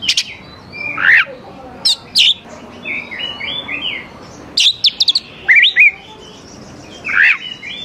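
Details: Singing oriental magpie-robin, used as a lure for young forest birds; loud scratchy rising notes alternate with soft rolling whistled phrases, bursts coming roughly every second or two.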